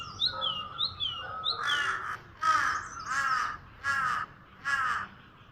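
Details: Bird heard on Eid morning at Bhurban, Murree, Pakistan: a few soft whistled notes, then five loud, harsh, cawing calls repeated at intervals of just under a second over a low background hum.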